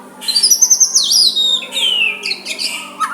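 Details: White-rumped shama singing softly to provoke a rival: a high rapid trill, then a long descending clear whistle and brief chips, loud and close, with a faint hum.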